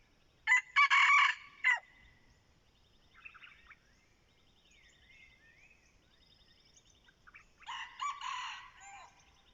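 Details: Two loud, rasping crows about six seconds apart from a decoy red junglefowl used to draw in wild junglefowl, with thin bird calls faintly heard in the gap between them.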